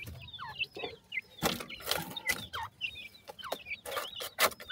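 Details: Sindhi teetar francolin chicks uttering high curved peeps, a few dropping notes among them, interrupted by loud broadband clicks and knocks from handling.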